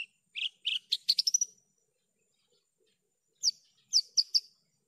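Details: Javan bush lark singing for training birds: a few chirps run into a fast rising stutter, a long pause, then four sharp, high, clipped notes at even spacing.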